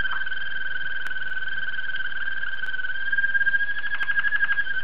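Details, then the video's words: A Belgian Waterslager canary, presented as a top singer, holds a long, steady, pure whistled note, then breaks into a rapid bubbling roll for its last couple of seconds, with faint clicks. "Watarslager Canary Song"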